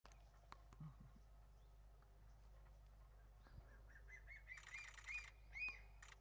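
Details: Crested serpent eagles calling back and forth on Ishigaki Island, Okinawa, Japan: after a quiet start, a run of short rising whistled notes arrives about twice a second in the second half, among bursts of broadband clicking and a low steady hum.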